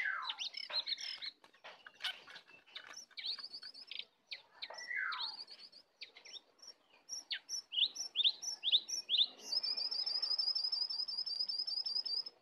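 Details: Sooty-headed bulbul in a heated singing duel between a wild bird and a caged bird, sung full of fill phrases: sliding whistles falling in pitch, scattered chirps, then long runs of fast, high, even trills.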